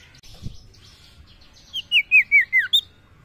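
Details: Common iora (sirtu) song used for calling females. After a faint thump and soft background twittering comes a run of five or six loud downward-slurred whistles, falling in pitch, closed by a brief higher whistle.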